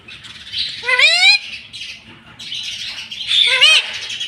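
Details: Green ring-necked parrot kept as a talking pet, uttering two bright, rising nasal syllables about two and a half seconds apart, with raspy breathy chatter filling the gaps.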